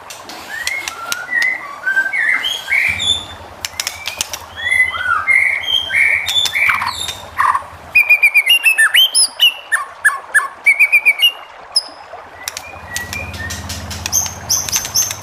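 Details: White-rumped shama song used to make other shamas answer: long varied medley of whistles, slurs and clicks, a rapid series of repeated sharp notes midway, with a low hum in the background at times.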